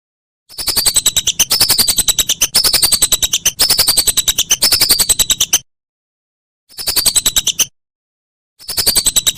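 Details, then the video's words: Whistling duck as songbird training material for contests: four fast runs of clipped, whistled notes with a thin falling tone, then a pause and two shorter bursts. Clean recording with no background sounds. "Masteran Burung Belibis"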